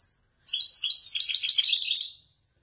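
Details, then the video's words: Moroccan Wedani European goldfinch, a male prepared for song, performing an authentic Marrakchi descent: a continuous run of under two seconds of dense, high, tinkling and buzzy twitters that swells slightly toward its loudest point near the end. "حسون ويداني يتفنن بالنزولات المراكشية الأصيلة"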